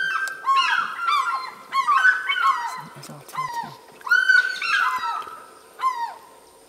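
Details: African fish eagle calling at Lake Panic near Skukuza, Kruger National Park: loud, ringing yelps in quick bursts, each note sliding downward, about six over several seconds, with faint background hum.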